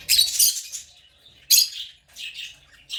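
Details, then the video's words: African lovebird chirping: a loud scratchy squawk burst, a pause, a second sharp burst, then two softer trailing chirps. "African love birds chirping sound"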